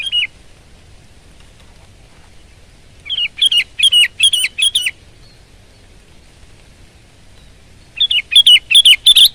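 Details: Sooty-headed bulbul singing loudly and often: bursts of four or five quick, chirpy whistled notes repeated in short phrases, with seconds of near silence between phrases.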